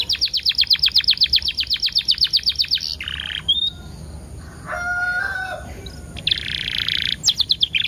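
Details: Canary singing as a lure for other canaries: a rapid trill of about twenty-five even high notes over three seconds, a buzzy burst, a lower whistled passage, another buzzy burst, then quick sharp chirps.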